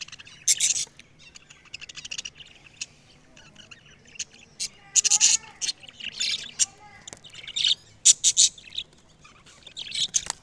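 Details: Parrot, described as talking. Short high chirps and hissy squawks come in scattered bursts, with a few brief tonal whistle-like notes in the middle and quiet gaps between the outbursts.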